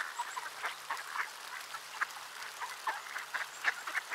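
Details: Many ducks on a wintry Tuesday afternoon in Sainte-Adele, Quebec, felt temperature -9°C; quick, irregular nasal quacks tumble over one another, roughly three or four each second.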